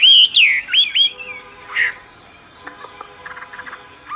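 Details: Myna singing strongly: loud, looping whistles that twist up and down in the first second and a half, one harsh squawk, then quiet with scattered soft ticks and faint tones.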